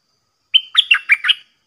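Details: Red-whiskered bulbul in a cage, Dok Taeng style, taken out to duel wild birds in Thailand and singing without pause. One quick phrase: a clear whistled start, then four bright, bouncing warbled notes in quick rhythm against a quiet background.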